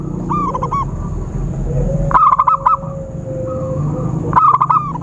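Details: Lure call of a zebra dove for trapping: short rapid coo bursts recur roughly every two seconds, each a quick stutter of several notes, with a thin sustained tone and low rumble behind.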